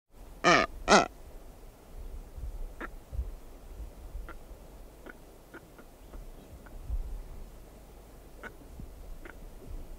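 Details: Female Blue-footed booby walking around her nest site, recorded close. Two loud harsh calls with rich harmonics open the recording, followed by scattered faint clicks and ticks over a low rumbling background.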